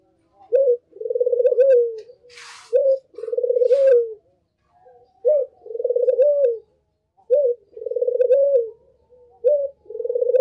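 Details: Barbary dove (burung puter) calling actively, used as a lure to attract other puter doves: a short rising note followed by a long vibrating, slightly falling coo, the pair repeated about every two seconds, with two brief rustling bursts early on.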